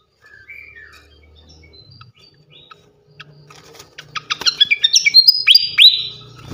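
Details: Champion fantail (srikatan kipas) singing loudly, recorded as training song for other songbirds. Quiet opening with a few soft slurred whistles, then a loud run of crisp clicks and bright, ringing whistled notes near the end.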